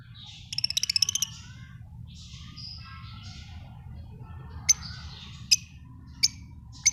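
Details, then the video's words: Lovebirds give a rapid burst of shrill, rattling chirps, then a few squeaky notes and four sharp, high chips about a second apart, over a low hum; lovebird chirping. "Love birds chirping sound"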